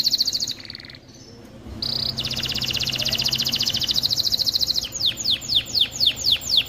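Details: Singing canary, played to teach chicks singing and ready females for mating: a brief high trill, a pause, a long buzzy rolling trill, then a run of quick downward-sweeping notes over low background hum.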